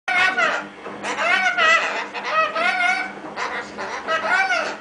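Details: A pet lorikeet shouts at a washing machine in loud, wavering, almost voice-like bursts, four or five strung together over about five seconds in a small room.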